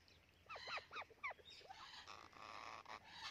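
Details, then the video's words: White Indian ringneck parakeet, a hand-tame pet, giving three arched, nasal squawks in quick succession, each rising then falling, followed by a softer squawk and broad rustling noise. "Hand tame White Ringneck Parrot"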